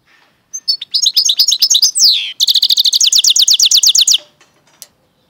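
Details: Singing goldfinch–canary mule: varied high chirps and a downward-sliding whistle, then a fast even trill of rapidly repeated rising notes lasting almost two seconds, crisp and clean.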